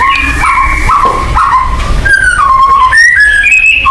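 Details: White-rumped shama lure song: mellow mid-pitched whistles, held and gently wavering, then a series of sliding whistled notes stepping upward, over a rumbling background.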